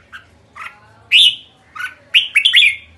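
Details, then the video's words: Red-whiskered bulbul giving bright, slurred whistled notes in short bursts, several rising and falling phrases close together, loud and clear against a quiet background. "Merbah jambul kekek"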